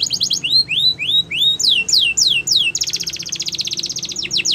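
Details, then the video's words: Canary singing: rising whistled slurs repeated about three times a second, then downward sweeping notes and a fast buzzy trill near the end. "The Best Canary Singing"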